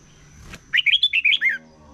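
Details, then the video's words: A single quick phrase from a red-whiskered bulbul in morning competition singing: six or seven liquid, rising-and-falling chirped notes strung together in under a second, preceded by a soft click. "Chào Mào Hót Đấu || Kích Chào Mào Hót Sáng Luyện Giọng Bổi Hót Đấu Căng Lửa"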